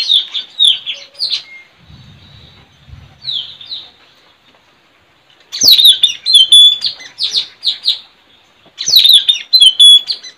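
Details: White-rumped shama recorded in the wild forest during trapping; three bursts of rapid, sliding high notes separated by quiet gaps, each burst a quick cascade of downslurred chirps and twitters, with faint low rustling early on.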